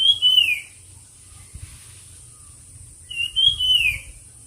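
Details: Whistled song of a bird in a song competition: a falling, slurred phrase at the start and again about three seconds later. Low rumbling noise and a high steady whine fill the background.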